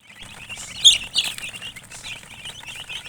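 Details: Colour chickens chirping: a few loud, high, quick chirps near the one-second mark, then softer rapid peeping continuing in the background.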